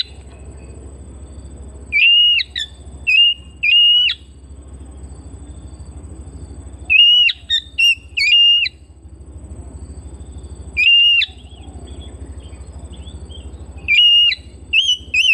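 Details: Home-kept Oriental magpie-robin repeating groups of two to four short, pure whistled notes separated by pauses of several seconds, over a continuous low mechanical hum.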